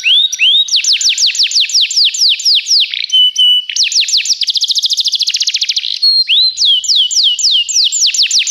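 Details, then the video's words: Singing Belgian canary, a tutor bird, opening with two rising whistles before rapid chains of swooping notes, a steady held tone, and a machine-gun-fast trill, all bright and high with a quiet background. "professor Canário belga cantando muito - best singing"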